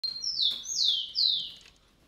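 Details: A White-eyed parakeet (Psittacara leucophthalmus) feeding on sunflower seeds in a vegetable garden gives three shrill, high notes in two seconds, each sliding sharply downward, with a quiet background.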